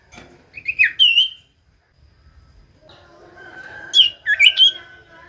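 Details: Common iora lure song for birds that will not sing: wavering whistles and downslurred notes in two bursts separated by a quiet gap, over faint background noise.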